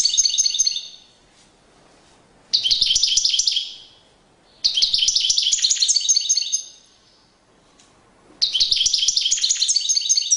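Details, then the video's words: European goldfinch performing a courtship display, its song a bright, rapid jingling twitter repeated in three bursts about two seconds long, with quiet gaps between. "Magnifqiue chant une parade nuptiale تغريد رائع"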